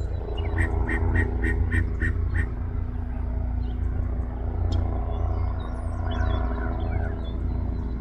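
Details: Yellow-breasted chat in Osborn Metropark, Huron, Ohio, May 23, 2023, 10:12 AM, giving a quick series of about seven harsh, raspy notes, then scattered faint calls, against loud low-pitched background rumble.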